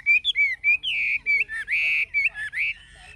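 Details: Caged old wild-caught Chinese hwamei with a forest-style voice sings loud, rich whistled phrases. Short slurred notes alternate with longer, sustained, buzzy-edged tones, all steady in pitch.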